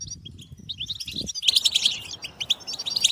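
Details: European goldfinch stimulation chatter: soft sliding chirps at first, then a loud burst of bright, ringing twitters after an abrupt cut, continuing in quick tinkling notes.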